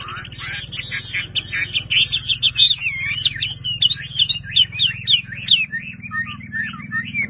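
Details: Caged Chinese hwamei kept as a hobby bird, singing a loud, continuous varied song of slurred whistles and rapid trills, rising and falling warbled phrases over a steady low engine-like hum.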